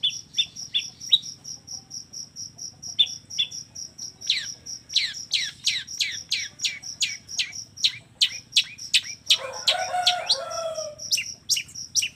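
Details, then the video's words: Long-tailed shrike song in the combination-filler style (kombinasi isian): bursts of sharp high downsweeping chirps speeding into a fast series, a steady pulsed piping note throughout, and a harsh chattering phrase near the end. "suara kicau cendet gacor FULL KOMBINASI ISIAN AMPUH"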